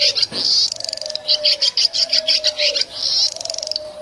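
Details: Village swiftlets chattering: bursts of shrill, buzzy chirps about twice a second, with longer trilled runs at the start and near the end, above a faint, steady low tone.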